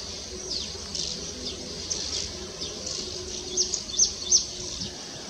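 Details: A male Baya Weaver sings while weaving its nest: high, buzzy chattering notes in quick bursts, ending with a few sharp, bright chirps over a steady background hiss.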